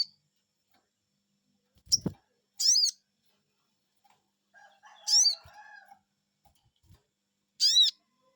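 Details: Crimson sunbird, locally sogon, calling in response to a lure: a few shrill downward-arching 'cuiit' notes, with a low thump and soft clucking between.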